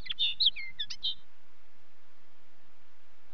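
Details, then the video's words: Brief linnet song phrase: a jumble of twittering chirps and short whistled slurs lasting about a second, followed by low background hiss. "Linnet song"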